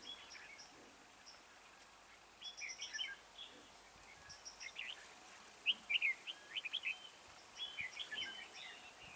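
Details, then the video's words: Decoy red-whiskered bulbul singing beside a trap to call in wild birds. A long series of rapid, bright warbled phrases comes in clusters, growing busier toward the end, with faint high ticking behind. "Bẫy chào mào Mào boi 3 cao vút- bộ thon dài"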